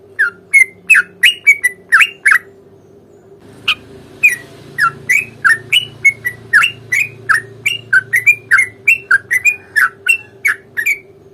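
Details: Long rolling fighting song of a sooty-headed bulbul meant to provoke a reply: a rapid, continuous string of bubbly slurred notes, briefly interrupted by a sharp click, with a low rumble and hum beneath.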